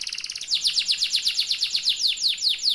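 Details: Yellow AF canary singing a long rolling trill: rapid, evenly repeated high whistled notes, each sweeping downward, about seven per second and pulsing steadily in loudness throughout, with no other sounds.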